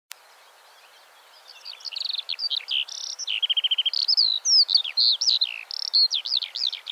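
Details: Eurasian skylark song marking its territory: a rapid, unbroken stream of high trilled and whistled phrases, buzzy repeated notes and quick slurred chirps, starting after a short quiet moment.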